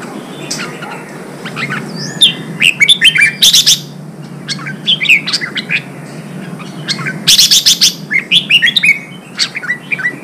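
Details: Red-whiskered bulbul kept and trained for singing contests, pouring out bursts of sharp high notes and slurred whistles, with two loud rapid clusters of chips separated by quieter phrases.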